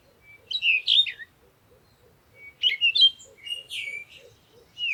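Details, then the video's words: Birds chirping at sunrise in the morning: high, bright twittering phrases with quick sweeping notes, delivered in bursts about two seconds apart, over a soft, regularly pulsing lower background sound. "Morning Sunrise and Birds sound"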